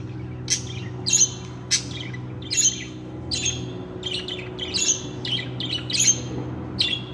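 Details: Budgerigar calling in sharp, high chirps with bright whistled tips, about one or two per second, over a steady low hum.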